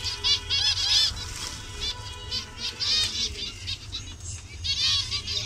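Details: Many zebra finches in a captive Bangladeshi colony of colour varieties produce quick, irregular nasal calls, roughly four per second, over a constant low hum.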